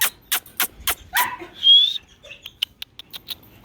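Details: Pet cockatoo, described as talking and dancing: a run of five harsh, broadband squawking bursts about every quarter second, then one clear rising whistle and a few softer clicks and chirps.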